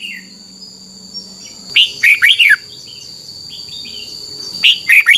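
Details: Thai red-whiskered bulbul singing, a recording meant to be played for young birds to learn from: one clear phrase of four quick, bouncing whistled notes after a quiet lead-in, then the same phrase starting again, over a faint constant electronic tone.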